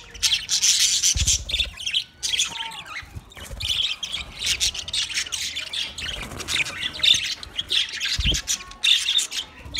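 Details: Budgies, twenty pairs, fill the air with raspy squawks and bright chirping bursts, a constant overlapping chatter broken by a couple of low thuds.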